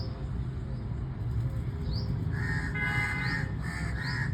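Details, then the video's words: Crow giving a run of four rough, hoarse caws close together in the second half, after a quieter start with a few high upslurred chirps from another bird over constant low rumbling noise. "Crow Bird Sound"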